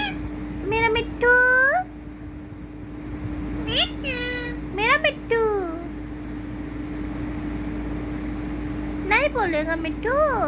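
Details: Pet ringneck parrot speaking in short bursts of nasal, word-like syllables with quick rising and falling inflections, separated by pauses of several seconds, against a continuous low electrical hum.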